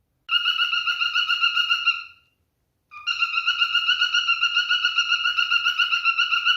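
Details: Male cockatiel in mating display: a long, steady, wavering whistle held for over a second, a brief gap, then another sustained trilling tone.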